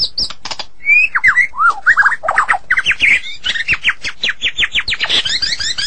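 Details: Vigorous song of a White-rumped shama of the Medan variety, packed with quick slurred whistles, sharp downward sweeps and squawky notes, growing into a dense, rapid chattering series toward the end.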